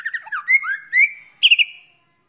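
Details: Training recording of a white-rumped shama: liquid rising and falling whistled slurs flowing into a steady tone, ended by a bright burst of quick high notes.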